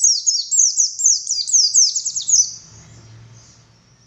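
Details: Male Oriental white-eye, race buxtoni, in 'ngalas' song said to call the female: a dense two-and-a-half-second run of shrill descending chirps, then a faint low hum as the song stops.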